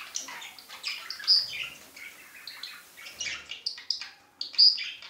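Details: Male budgerigar showing affection: scattered sharp chirps and short high whistles, some rising, with brief scratchy notes in between and a short pause near the end.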